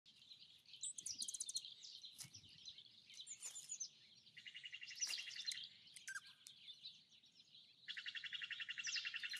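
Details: A Dark-eyed Junco at a seed snack gives high chips and twitters, then rapid, even, dry trills of about a second each, with faint low background rumble.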